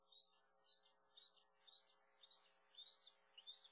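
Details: Bald eagle at a nest cam in Maine, 5:40 am on August 21 2022. An adult delivers food to a 15-week-old fledgling that has been flying for 3.5 weeks. Thin, high, slurred chirps rise in pitch, about seven in under four seconds.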